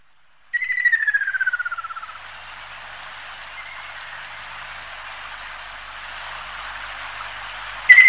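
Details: Ruddy kingfisher, Halcyon coromanda, a migrant noted as occasionally passing through Taiwan: one clear whistled trill sliding steadily downward, lasting under two seconds, followed by steady hiss like rain or running water.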